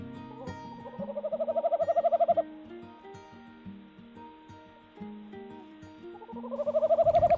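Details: Male Tawny Owl at a new woodland nest site in North Yorkshire, UK, at the end of February, calling for his mate: two soft, hollow calls swelling into a long quavering tremolo, female possibly answering faintly, over gentle music.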